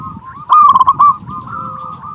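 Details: Zebra dove call used to lure wild doves and stir their mating drive: one loud, rolling coo of several rapid pulsed notes, with a steady wash of fainter cooing from other doves throughout.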